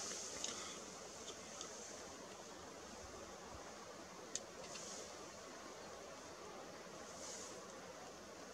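Faint steady outdoor hiss with a single sharp click near the middle and no animal calls.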